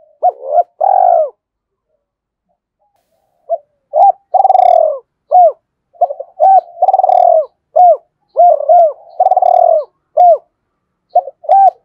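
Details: Spotted dove kept as a decoy, excited into fast cooing: repeated bursts of short arched hoots and longer throaty coos in irregular phrases with brief pauses between.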